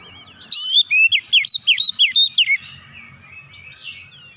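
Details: Oriental magpie-robin delivering a rapid 'nembak' volley from its repertoire: about ten crisp whistled notes in two seconds, each swooping down then up, followed by quiet with a soft high warble.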